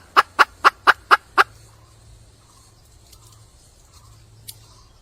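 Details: Red junglefowl hen in the wild, calling to attract a male, gives six crisp clucks in close succession, each about a quarter second apart, followed by near silence with a faint low hum.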